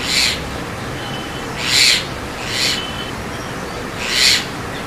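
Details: Javan myna (white-vented myna) repeating harsh, buzzy rasps, four in about five seconds at uneven intervals, with faint thin tones in between.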